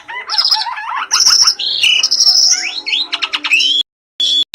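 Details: Asian pied starlings, a pair, singing with many variations: rapid chattering notes, then sustained high whistles, a lower buzzy note, rising slurred whistles and clipped chirps before a short pause and a final thin whistle.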